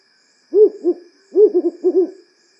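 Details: African wood owl (Strix woodfordii) giving repetitive low hoots: two quick bursts, the first of two or three notes and the second a rapid run of about five wavering hoots, over a faint steady hum.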